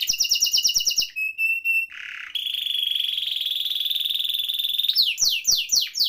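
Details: Canary in active song with rolling tours, a bird used to tutor or prompt canaries that have stopped singing: fast chopped trill, a few clear whistled notes, a buzzy burst, then a long steady high roll ending in quick downward sweeps.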